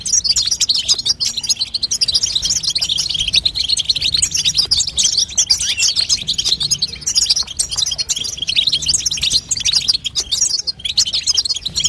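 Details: Continuous high, fast twitter of a female European goldfinch, used to push a young goldfinch into singing; crowded liquid chirps run for twelve seconds with only brief dips in intensity.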